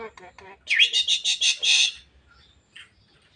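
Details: Javan myna reported talking until coughing: a few low voice-like sounds, then a burst of six rapid harsh, buzzy squawks pulsing for over a second before fading to quiet.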